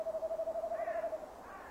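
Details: Quavering hoot just over a second long from a male tawny owl at its nest box, 15 December 2015 at 17:10, ending abruptly; faint hiss behind.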